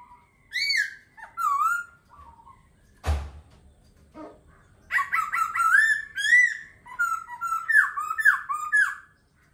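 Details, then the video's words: Singing laughingthrush delivering clear, looping whistled phrases, with a sharp knock-like thud near the middle, then a long, busy, varied run of rising and falling whistles rich in overtones. "Khướu hót hay."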